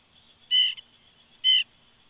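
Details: Morning woodpecker calling near an eagle nest. Two short, harsh, nasal notes come about one second apart. The first note has a brief clipped echo note after it. The background is quiet.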